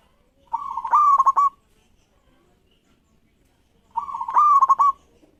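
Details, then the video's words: Singing local zebra dove, meant to provoke rivals into song. Two matching phrases about three seconds apart, each a rising coo breaking into fast stuttering pulses, with silence between. "Perkutut Lokal Gacor Respon Cepat Bikin Lawan Langsusung Bunyi"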